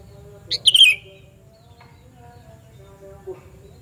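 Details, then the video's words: Sooty-headed bulbul, a loud call used to lure other bulbuls: one brief burst of sharp, slurred notes sweeping down, then near silence with a low steady hum and a faint later chirp. "Panggilan Burung Kutilang Suara Nyaring Keras"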